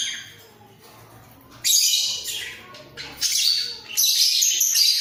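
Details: Two budgerigars kept in a breeding cage, head-bobbing as they call; after a quiet start, bursts of scratchy high chatter come in three loud spells separated by short lulls.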